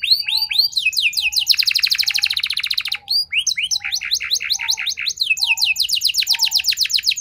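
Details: Singing canary, meant to make other canaries respond and sing at length, alternating rising whistled swoops with dense rapid trills, phrases changing every second or two, with a faint low tone repeating underneath.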